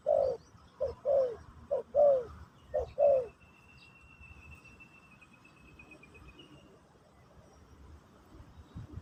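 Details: Spotted dove giving pesom or kacuk style song during a teaching session for a new bird: a rapid run of five low downslurred coos in three seconds, then quiet with a thin, steady high whistle behind.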